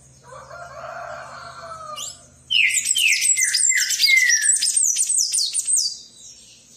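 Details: Palm tanager song: after a lower, hoarse drawn-out sound at the start, a sudden rush of rapid, high-pitched squeaky twitters pours out for about three and a half seconds, then fades.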